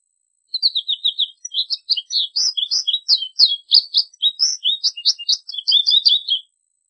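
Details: Clear, quick American goldfinch song: a continuous run of high, sweet twitters and short rising and falling slurs lasting about six seconds.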